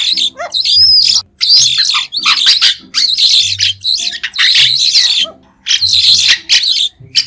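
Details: A White-shouldered starling opens with a clear rising whistle, then continues in loud, scratchy, jumbled phrases of chatter with short pauses between them.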